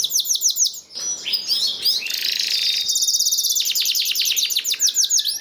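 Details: Canary singing to encourage other canaries to sing: looping arched notes at about three per second, broken by a dense buzzy rattle, then back to quick rolling tours.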